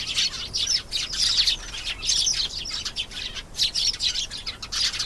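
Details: Canary singing a continuous, high-pitched warble of rapid trills and chirps, with brief dips between phrases.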